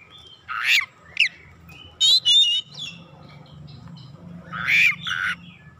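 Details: Vigorously singing oriental magpie-robin, a lure recording of its varied fill-in notes: rough buzzy bursts, a brief chip, two strained whistled phrases, then another harsh grating note, over a noticeable low droning background.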